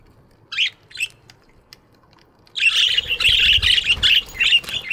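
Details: Budgies in an aviary in the morning: two single chirps, then a dense, continuous chorus of overlapping chattering chirps and squawks from several birds with some fluttering.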